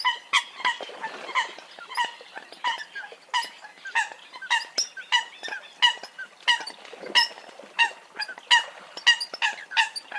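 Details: Many Eurasian coots calling together, a steady stream of short, honking nasal notes at uneven intervals.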